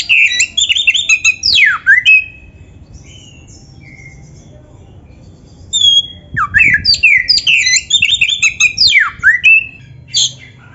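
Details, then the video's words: Oriental magpie-robin delivering 'full isian' training song in two bursts separated by a quiet pause: dense, fast sequences of sharp downslurred whistles and chattering notes, plus a few longer clear whistles. "MASTERAN KACER GACOR FULL ISIAN"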